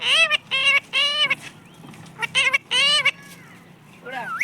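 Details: Talking parrot kept as a pet, known for saying mummy and papa. Rapid bursts of rich, harsh voice-like syllables come in two groups of three, then a rising whistled note closes.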